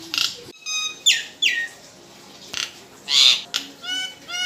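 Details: Captive Nias hill myna singing to provoke other birds into song: separate loud whistled notes, some sliding downward, mixed with harsh rasping bursts and a quick ending run of clipped whistles.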